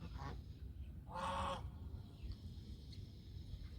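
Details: Domestic goose letting out one loud, rasping honk lasting about half a second, preceded by a softer short note, over low background rumble.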